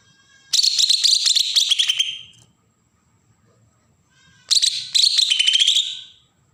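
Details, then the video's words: Bornean green leafbird from Berau, Kalimantan, singing agitated song used to provoke other birds: two long, scratchy phrases of fast high notes with whistled tones, separated by about two seconds of near silence. "cucak ijo Kalimantan suara besetan pancingan burung bakalan"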